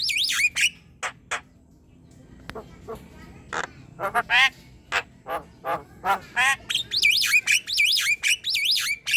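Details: Javan myna song, meant for training other birds and prompting them to sing. Looping whistles open, a quieter spell of scattered clicks follows, then a steady series of rasping squawks builds back into wavy whistled loops.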